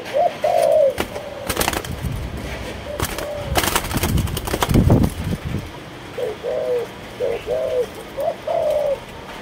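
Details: Malaysian spotted dove coos in short mid-pitched phrases at the start and a quicker series toward the end, broken in the middle by loud knocking and rustling noise.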